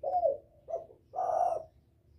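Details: Spotted dove calling to draw in a male and excite a decoy bird: a short coo, a brief soft note, then a longer steady hoarse coo, over a low background hum.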